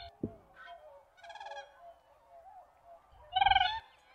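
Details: Siberian crane voice: a sharp click, then softer wavering notes, ending in one loud, throbbing, high call.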